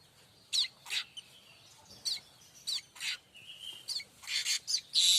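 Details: Streaked weaver singing a tutor song for training oriental magpie-robins and white-rumped shamas: sharp high chips and short buzzy bursts, ending in a louder sizzling buzz.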